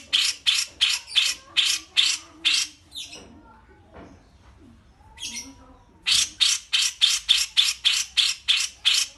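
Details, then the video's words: Grey-cheeked bulbul (cucak jenggot) used as a model for training pet birds, giving rasping, buzzy squawks in quick succession. A quiet middle stretch holds faint scattered notes before the harsh squawk series resumes, steady and rapid. "CUCAK JENGGOT VS KAPAS TEMBAK"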